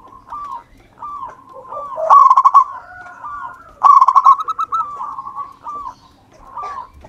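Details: Local wild-type zebra dove in full song, used to lure others: short hooting coos alternate with two loud bursts of fast, clipped staccato notes that run into rolling, wavering trills.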